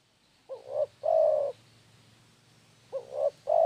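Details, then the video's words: Spotted dove lure call, repeated coo phrases: a brief rising note followed by a long, mellow coo, the pair given twice about two and a half seconds apart. "SUARA PIKAT DERKUKU GACOR...!!"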